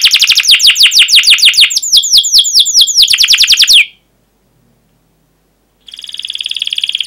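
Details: Canary in full, long song, used as a tutor for young canaries learning to sing: fast high rolling trill of rapidly repeated downslurred chirps, then a pause of about two seconds, then a bright buzzy trill starts again.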